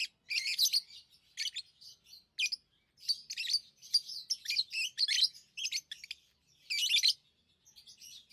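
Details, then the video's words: Tamed lovebirds chirp in irregular bursts of sharp, high, raspy tweets, some clustered tightly, others spaced a second apart, against a silent background. "Love birds Sounds | lovebirds chirping sounds"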